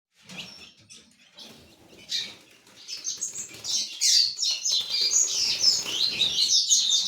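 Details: Ultramarine grosbeak (azulão) kept for song tournaments: soft scattered notes at first, then a quickening, bright, high warbling phrase over faint background rustling.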